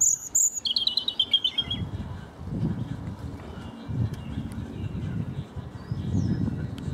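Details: European robin sitting calmly near a person mowing the lawn, giving a quick burst of high, thin sweeping notes and a short descending twittering run, followed by the low steady rumble of a lawnmower.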